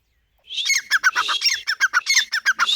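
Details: Grey francolin calling: a rapid, harsh series of squawky notes, about five per second, in a dense, scratchy run with no other sounds.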